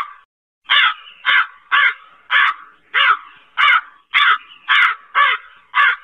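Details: A brief quiet gap, then nine rough, loud caws from a black crow, repeated at an even pace of about one every 0.55 seconds.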